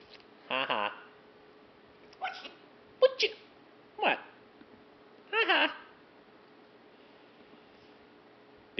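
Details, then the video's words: Pet macaw, female, chattering indoors in five separate short bursts over about nine seconds, some clipped and breathy, others voiced and nasal like mimicked words, against a quiet room with the owner conversing between them. "Macaw Talking, Parrot Talking"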